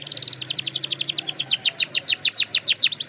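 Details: Canary song for training other canaries: one continuous rolling trill of rapid sweeping notes, several per second, growing louder and broader in pitch.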